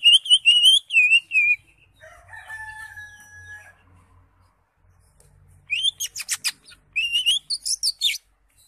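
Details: Greater green leafbird with ngekek song: a run of wavering whistled notes, a steady lower tonal hum in the pause, then a stuttering burst of sharp, buzzy notes and further whistled phrases.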